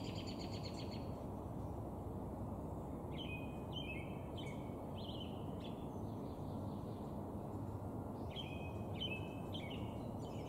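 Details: Male northern flicker calls slowed down: groups of three to four buzzy downslurred notes, a burst near the start and again near the end, against constant low rumbling noise.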